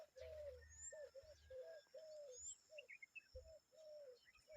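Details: Noisy common babbler adult with chicks: a string of low arched notes, some short and some drawn out, with thin high squeaks and low rumbling in the background.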